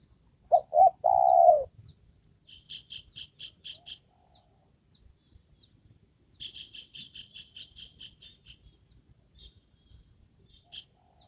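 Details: Trained decoy spotted dove used to lure wild birds gives a brief low coo phrase of two short notes and a longer falling note, followed by bursts of high rapid chirping and quiet background.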